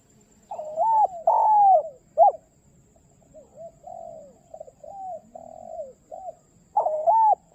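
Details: A spotted dove calls its companion. Loud long coos and a short clipped note open the phrase, a run of softer, shorter coos follows, and another strong long coo closes it.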